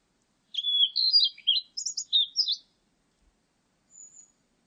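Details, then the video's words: Blue-and-white flycatcher song: a clear whistled phrase of varied notes, some sliding down and some rising, delivered in about two seconds, then a faint high thin note after a pause. No other sounds. "큰유리새, 여러번 듣기, 곤충소리, 새소리"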